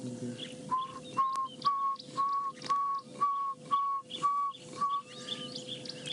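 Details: Pearl-spotted Owlet calling in the distance during a hot morning game drive in a South African reserve: about nine clear, mid-pitched whistled notes, roughly two per second, building in strength, over a steady low hum and faint twittering.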